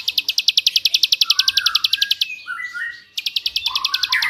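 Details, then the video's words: Bar-winged prinia master song for training white-rumped shamas and magpie-robins: a quick run of sharp high chips, a brief pause filled with softer warbles, then the rapid chipping starts again. "masteran ciblek suara jerih / tembakan Ciblek ngebrend"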